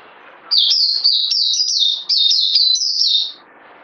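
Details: Bird, fed a health supplement, singing a fast high-pitched twittering phrase of short, sharp, descending notes repeated rapidly for about three seconds, with a brief break midway, over faint low background hiss.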